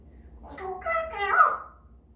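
A parrot gives a brief, voice-like burst of mimicked speech, a few harmonic syllables rising in pitch over about a second, in a quiet room.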